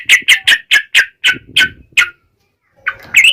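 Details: Wild-style vigorous Yellow-vented bulbul song, meant to make other birds answer: about eight loud, harsh, evenly spaced notes, then silence and a brief jumbled burst at the end.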